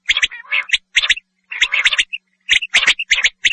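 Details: Common quail, tagged as the male's call, giving quick, scratchy, liquid notes in clustered bursts about a second apart, with short pauses between groups.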